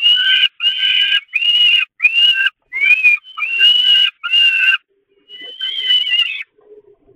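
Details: Peregrine falcon chicks begging at a feeding on the Catharinakerk nest grating, 11 May 2021: loud, rasping, high screeches, seven in a row at about one-second intervals, then a softer drawn-out wail and faint low sounds.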